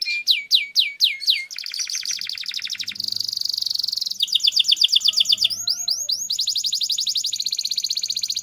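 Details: Gacor canary with long rolling song, a lure for training: loud falling whistles, then dense buzzy rolls and rapid trills switching between pitches, a few swooping notes, all continuous.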